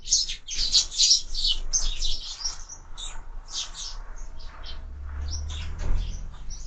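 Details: Sparrows feeding at window feeders, with busy high chirping early that thins to scattered tweets, while a low hum rises near the end.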